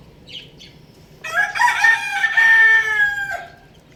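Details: Young rooster playing on a roof gives a loud, hoarse, harmonic crow lasting about two seconds, rising at the start and trailing off, preceded by two faint high chirps against quiet outdoor background.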